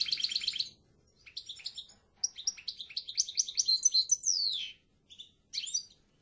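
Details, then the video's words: European goldfinch song: an opening buzzy trill, then a long, rapid sequence of tinkling twitters with a falling slur, followed by a few final chirps. "El Jilguero BiH 3"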